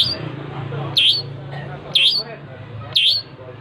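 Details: Long-tailed shrike singing actively: three loud, harsh squawks about one second apart over a noisy background with a steady low hum.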